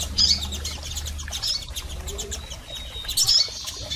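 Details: Female and male double-collared seedeaters calling, used to stimulate a male: thin, high chirps in short bursts near the start and again after three seconds, over a low steady hum.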